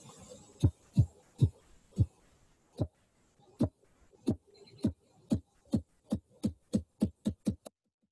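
Ruffed Grouse drumming: about seventeen deep, muffled wingbeat thumps, spaced at first, then quickening into a rapid roll that stops abruptly.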